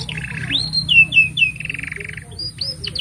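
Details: Canary singing a tutoring song for young canaries: buzzy rattling trills joined by sliding whistles, ending in brief high chirps, over a low background hum.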